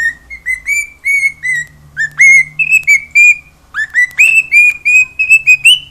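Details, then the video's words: Cockatiel kept as a pet at home, singing. Bright whistles come in short groups, some sliding up at the start, with the pitch stepping slightly higher toward the end. A faint low hum sits in the background. "CALOPSITA(KIKO) CANTANDO E FAZENDO BARULHO!"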